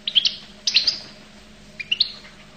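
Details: Goldfinch of the Collo (القل) type giving brief clusters of bright, high chirps: two quick bursts early, then a pause and a final pair of rising tweets.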